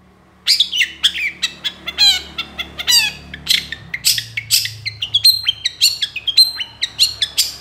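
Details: Long-tailed shrike, master recording for training songbirds, singing 'gacor dor konslet': a continuous, varied jumble of scratchy chatter, sliding squeaks and sharp chips, about three notes a second over a low background hum.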